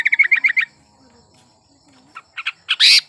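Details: Sooty-headed bulbul in breeding condition singing to draw song from silent birds: a quick bubbling run of chirps, a near-silent pause, then scattered notes and a loud harsh rasp at the end.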